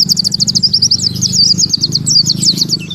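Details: Oriental white-eye singing in the 'tembakan tanpa nafas' style, a rapid, unbroken run of high, thin chirps and short trills with no pauses, over a steady low hum.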